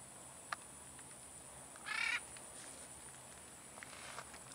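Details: Free-flying single military macaw utters one rough, nasal squawk lasting under half a second, with ringing harsh overtones, against a calm outdoor background with a few soft ticks.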